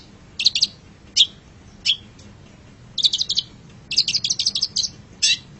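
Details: Long-tailed shrike (pentet cendet) singing on a masteran tutor recording: short bursts of sharp, high chattering notes, some in quick doubled or tripled clusters, separated by brief pauses over a faint low hum.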